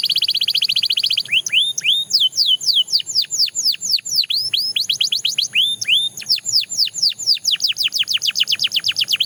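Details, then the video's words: A Belgian canary sings a buzzy opening roll, then a series of bouncy falling whistles at about two per second, speeding into a fast chain of sharp descending notes near the end. "The Most Effective Canary Singing Sound – Belgian Canary Edition"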